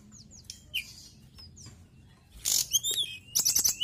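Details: Mountain tailorbird singing vigorously: thin high whistled notes and short slurs, then loud sharp bursts with bright descending whistles near the end.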